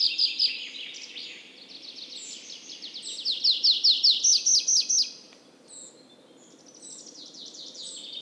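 A tree pipit sings a loud, high trilling phrase that speeds into rapid repeated notes before fading, followed by a softer second phrase.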